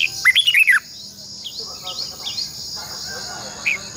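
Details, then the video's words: Red-whiskered bulbul singing as a decoy for training caged birds: a quick burst of loud, slurred whistled notes, then softer scattered chirps over a steady insect-like hiss. "luyện chào mào hót sáng 2020 - Giọng kép xoắn dài Quá hay hót căng lửa"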